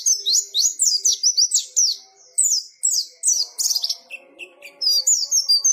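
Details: High, quick white-eye song in ngalas style, rapid down-slurred chirps in bursts separated by short gaps, later lower-pitched notes with faint background hum.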